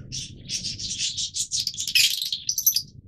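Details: Yellow mutation Fischer's lovebirds chatter continuously with high, shrill, buzzy chirps in rapid overlapping bursts, a few sharper squeaky notes near the end, over a faint low hum.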